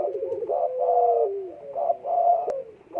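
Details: Low cooing from a spotted dove in breeding condition: a quavering start, then a drawn-out note sliding downward, followed by two short throaty phrases and a single sharp click.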